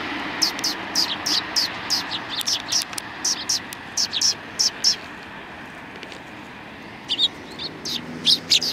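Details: Sparrows on the front path of a Tenmangu shrine, 6 December 2019, give a run of evenly spaced sharp high chirps for about five seconds, then fall quiet before a few more chirps resume; faint voices and traffic murmur behind.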